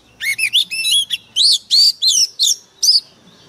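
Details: Oriental magpie-robin lure bird singing fiercely: a dense run of loud, varied whistled and chirping notes, about three per second, with brief gaps between phrases.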